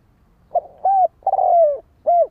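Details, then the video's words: One full phrase from a spotted dove: a brief soft note, a rounded coo, a long falling coo, and a closing short coo, clear and close with no other sounds. "Chim cu gáy gọi"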